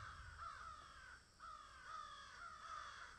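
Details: Crows in a field giving harsh, hoarse caws in a near-continuous run of drawn-out calls, dipping briefly midway, over a low rumble of background noise.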